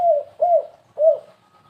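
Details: Spotted dove cooing as a lure in the 'kuk3 gagap' stuttering style: three mellow, arched coos, each rising slightly and then falling, spaced about half a second apart.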